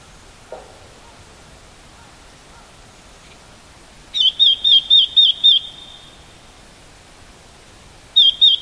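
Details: A red-billed leiothrix in autumn on Garyuzan, recorded with a homemade sound collector, gives a quick run of about six wavering, high whistled notes, roughly four per second, then starts again after a pause.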